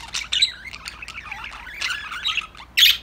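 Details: Budgerigars chirping and chattering while playing; varied warbled chirps and squeaky notes run continuously, ending with a sudden harsh high squawk.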